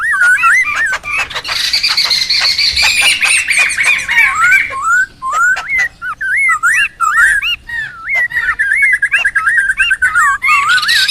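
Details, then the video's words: Laughingthrush voice for luring and tutoring birds: loud wavering, looping whistles that rise and fall, broken by harsh rasping bursts, running continuously and ending in a quick warbled trill. "SUARA PIKAT DAN MASTERAN SEMUA BURUNG POKSAY RIBUT ALAM LIAR"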